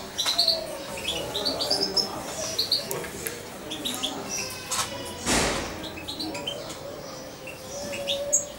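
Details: Young European goldfinch, roughly two months old and raised by hand with a syringe, twitters in short high chirps throughout, broken by a brief rustling burst midway, with soft background noise indoors.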